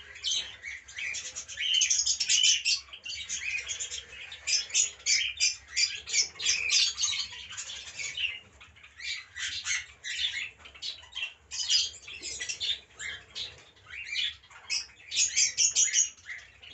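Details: Cockatiel colony at feeding: a dense overlapping chatter of shrill chirps and squawks. Cockatiel.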